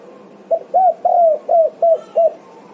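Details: Spotted dove (Spilopelia chinensis), coo call: answering another dove.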